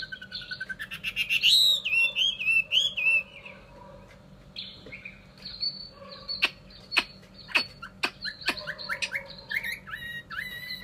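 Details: Chinese hwamei, a cage bird in Vietnam, opening with loud, rich warbled and slurred whistles, pausing, then giving scattered sharp clicks and short whistled notes, ending in rising whistles.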